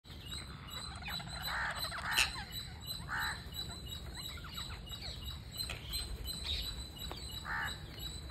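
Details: Parakeet being fed, giving harsh, nasal, buzzy calls in short bursts around 1.5, 2.2, 3 and 7.5 seconds, with faint soft chirps between them and a steady low background rumble.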